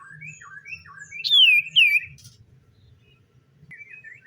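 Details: Common iora song in the morning: scattered soft chirps, then two loud clear whistles sliding down, followed by quieter twittering notes near the end.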